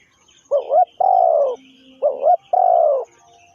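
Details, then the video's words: Decoy spotted dove used for trapping, giving two mellow cooing phrases. Each opens with a short wavering double note and ends in a drawn-out, gently descending coo, with a steady rhythm and faint background twitters. "The Sound Of Spotted Dove is so good"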